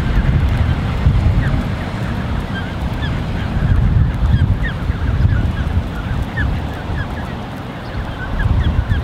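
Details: Canada goose creche of about 34 goslings gathered by two adults, recorded 13 June 2015; scattered high thin peeps rise and fall over a heavy low rumble of wind and water.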